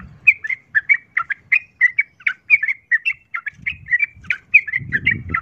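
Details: Rapid 'ropel tarung' fighting song of a sooty-headed bulbul, used to goad other bulbuls into fighting: a fast, steady stream of chirpy two-part notes, with some low rustling toward the end.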